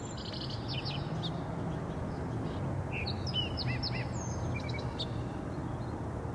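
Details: Purple-throated carib recorded on 18 June 2015, giving short, sharp, high chirps and thin downslurred notes in scattered bursts, some run together quickly, over a steady low rumble of background noise.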